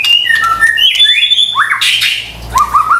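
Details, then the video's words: Short burst of white-rumped shama lure song for stressed kept birds: smooth whistled notes stepping up and down, a rising slur, a noisy rasp and quick low chirps. "PANCINGAN murai batu STRES dan MALAS BUNYI seketika LANGSUNG nyaut dan GACOR dengar suara INI"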